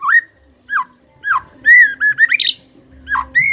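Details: White-rumped shama singing, used to spur a quiet shama into song: clear, rich whistled notes rising and falling, spaced about half a second apart, ending in a quick burst of higher twisting notes.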